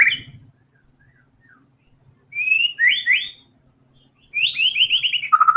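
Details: White-rumped shama singing: short whistled phrases separated by pauses, a brief call, then a pair of quick rising slurred whistles, and finally a rapid run of repeated upslurred notes ending in a lower trill.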